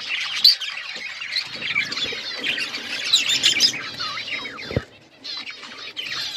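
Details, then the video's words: A group of budgerigars chirps and warbles loudly, overlapping squeaky trills, then a brief thump and a quieter moment before the chatter resumes. "Budgies bird talking sounds birds chirping"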